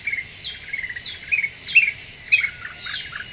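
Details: Black-winged bulbul lure song, very vocal, used to provoke other birds: bright whistled notes and short falling slurs repeated roughly twice a second, with a steady high insect-like hiss behind.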